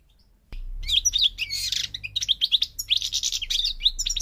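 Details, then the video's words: Moroccan goldfinch, North African parva form: after a sudden click and a low hum, an energetic stream of buzzy trills and chirped, slurred notes. "The Goldfinch's Song North Africa - Parva Morocco Bird Song"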